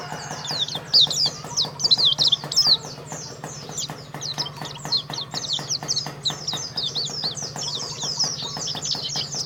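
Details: Karawang champion white-eye, Indonesia, pouring out a dense run of fast, high, slurred chirps and trills. Loud bursts come early, over constant rhythmic ticking and a low hum.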